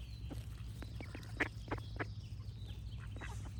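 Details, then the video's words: Ducks give scattered rasping quacks, a few close together and then pausing, against a persistent low-pitched hum. "Cute Ducks Quack Sound Effects with Birds Singing"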